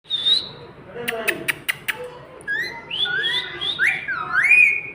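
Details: Pet ring-necked parakeet talking: a high whistled note, a burst of rapid clicks, then a run of rising and falling whistled, speech-like phrases with a quiet room behind.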